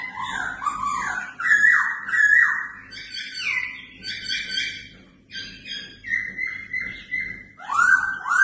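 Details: Red-whiskered bulbul under fighting-competition training delivers continuous rich whistled phrases, rising and falling in quick steps about one and a half per second, with a dip into a lower swooping whistle near the end.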